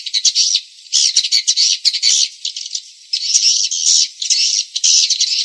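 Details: Swiftlet calls for attracting the birds: grating, buzzy chatter in uneven bursts of about a second each, with short quiet gaps.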